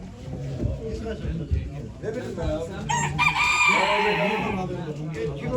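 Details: Rooster crowing at a poultry auction in Ankara in 2023, a strained, harmonic crow rising out of the crowd noise midway and holding for over a second, with steady voices and low background hubbub throughout.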